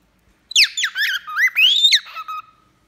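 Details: Singing male and female cockatiels while bathing: one loud phrase of quick slurred whistles, climbing to a long rising whistle and finishing with a short falling, steady note.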